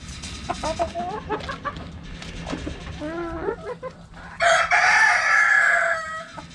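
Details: Backyard chickens: hens give short clucks and rising notes for four seconds, then a rooster crows loudly in a long, harsh, sustained call lasting about two seconds before trailing off.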